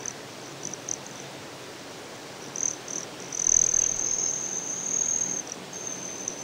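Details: A Broad-tailed Hummingbird at Great Sand Dunes, Colorado, gives a few short, very high metallic buzzes, then a sustained shrill trill for about two seconds, over a soft outdoor hiss.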